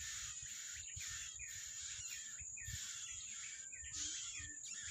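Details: Yellow-bellied prinia in the wild while feeding its young; harsh, buzzy bursts of high notes repeated roughly every second over a steady high insect-like hiss.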